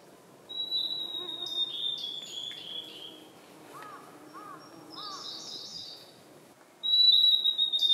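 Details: Blue-and-white flycatcher singing in the Khingan reserve, Amur region, Far East of Russia: high pure whistles sliding into buzzy notes. Between phrases, another bird gives soft, lower, arched notes three times before a loud final whistle.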